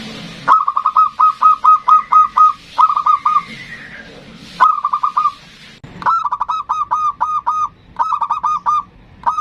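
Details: Energetic ndudut-style song from a local zebra dove, used to summon and anger a rival. Several rapid bursts of repeated cooing notes are separated by short gaps, with a faint higher drawn-out tone between bursts.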